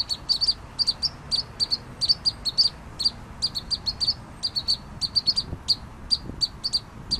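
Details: Pygmy nuthatch song: rapid, high, piping peeps given in quick bursts of two to four notes, repeated almost without pause, over a quiet background hiss.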